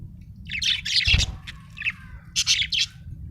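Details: Cheerful budgerigar chattering in quick, buzzy high chirps and warbles, two dense bursts separated by a brief thump, over a low constant hum.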